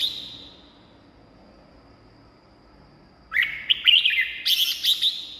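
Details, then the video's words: Red-whiskered bulbul song meant to stir caged birds or attract wild birds; after a long quiet gap a lively run of clear whistled notes begins, rising and falling rapidly and growing busier toward the end. "เสียงนกกรงหัวจุก สำหรับต่อ หรือ เปิดให้นกคึก เสียงเพราะๆ"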